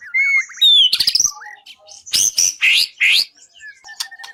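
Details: Contest-training song of a white-rumped shama, rich and clear, mixing sliding whistles, harsh scratchy bursts, and sharp upward-swept high notes in a fast, varied sequence.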